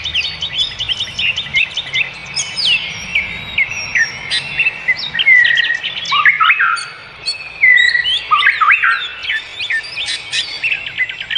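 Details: Wild bird song in natural surroundings: a long, varied stream of high chirps, trills and swooping whistles, with louder bursts every few seconds and faint low background noise.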